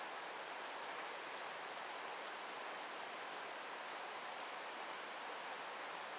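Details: Even rushing hiss, like a stream or waterfall, fills the whole stretch with no animal calls.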